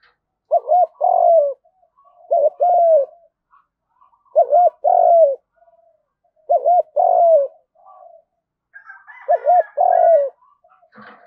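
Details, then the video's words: Field-voice spotted dove repeating its fighting coo five times, roughly every two seconds: each phrase a bouncing double note and then a sustained, downward-sliding coo. Faint scratchy noises appear near the end. "tiếng cu gáy Đồng / chim cu gáy gù đấu và thúc bài bản giọng đồng"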